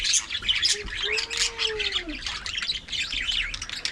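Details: Colony budgies in an aviary twitter and warble rapidly, squeaky notes overlapping densely. A low, smooth, arching tone sounds briefly beneath them early on.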